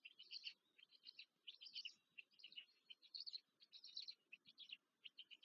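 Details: Nestling black storks begging while fed at a Polish nest near Łódź, May 2023: short rasping, squeaky bursts repeated in clusters about every half second, uneven spacing, soft background rumble.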